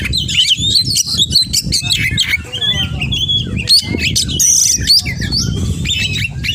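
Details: Oriental magpie-robin in full song loaded with mimicry: quick varied whistles, sharp upslurred notes and trills, plus a brief bright high burst, heard against a persistent low rumble.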